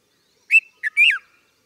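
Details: Three-note phrase from a red-vented bulbul: a ringing whistle, a brief chirp, and a longer wavering note that curls down, clear and close with no other sounds.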